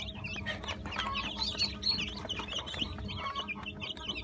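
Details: Dense chorus of newly hatched Brahma chicks, part of an 80-chick hatch on 17 June 2018: many shrill, overlapping peeps with rapid up-and-down inflections, continuous throughout, above a constant low droning hum.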